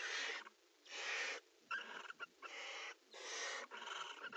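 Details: A mating pair of barn owls in a nest box trade repeated broad, breathy hisses about half a second long, broken by quick clicking, sputtering sounds between them.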